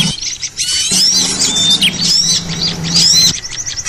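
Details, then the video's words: Noisy small-bird lure for trapping: overlapping high squeaks and twitters with several sharp upslurred whistles, forming a dense unbroken chorus throughout the short stretch. "suara ribut pikat burcil"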